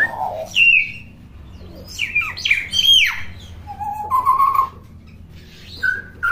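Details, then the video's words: A hill myna named King chatters in a rapid, varied stream of loud whistles, squawks and sliding notes, some rising and some falling, with a faint low hum behind. Common hill myna. "BURUNG BEO GACOR & CEREWET"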